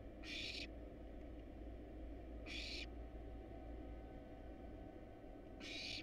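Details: Wild barn owl nestlings begging in a monitored nest box while eating a rat and a rabbit: three rasping hiss calls repeated roughly every two and a half seconds, low drone throughout.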